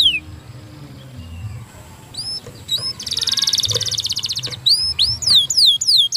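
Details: Canary song starting quietly with faint notes, then a loud rapid buzzy trill followed by clear falling whistled sweeps repeated at a quick pace.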